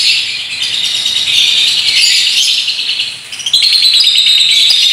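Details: Long ngekek trill from a paskun lovebird in a unique style: fast, high rattling chatter swelling and easing, a short dip past three seconds, then a bright, whistle-tinged burst to the finish.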